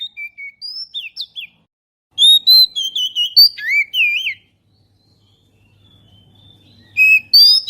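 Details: Oriental magpie-robin lure sound to draw birds: short whistled notes, then a rapid rich series of varied slurred whistles, a pause with faint hum, and two closing bright phrases.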